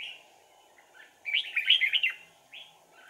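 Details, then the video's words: Red-whiskered bulbul used as a decoy to lure wild birds into a Sàng cầu style trap on 4 April 2019. It gives a burst of bright, warbled, chirping notes, then a short rising phrase. A faint steady hiss runs underneath. "Bẫy chào mào Sàng cầu - đánh đuôi"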